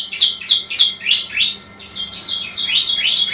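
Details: Bar-winged prinia (ciblek) song from a masteran training recording: quick, high chirping notes with sharp downward sweeps, repeated about three times a second in bursts, with a faint steady hum beneath.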